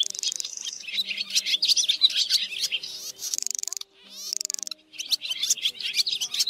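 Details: White-bellied black swiftlets twitter in dense, rapid bursts of high chirps and trills, almost without pause, over a faint steady low hum; a flock-calling roost lure sound.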